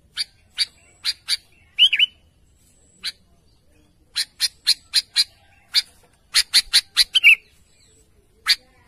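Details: Sooty-headed bulbul calling to its companions: sharp, dry chip notes in loose runs, separated by short pauses, with two brief slurred warbling notes mixed in. The background is quiet.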